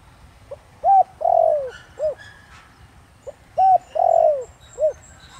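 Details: Spotted dove luring wild doves with its 'Thổ Đồng' voice: two full coo phrases about three seconds apart, each a soft note, short arched coo, long falling coo and rounded final note, with faint thin bird chirps above.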